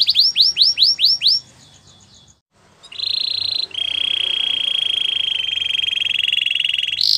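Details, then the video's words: A white Belgian canary sings a few loud rising swoops, pauses briefly, then holds a long, flat, buzzing roll that ends in a sharp high note. "White Canary Singing In The Wild | Belgian Canary"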